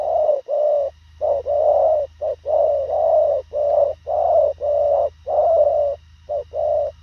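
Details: Fast, concise cooing from a Thổ khàng spotted dove: steady series of mellow low coos, short notes paired with longer swelling ones in tight succession, over a low continuous background hum.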